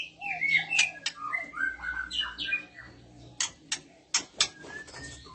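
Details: Female oriental magpie-robin in breeding condition, answered by males: a busy run of warbled, slurred whistles and chirps, then sharp dry ticks spaced about every third of a second.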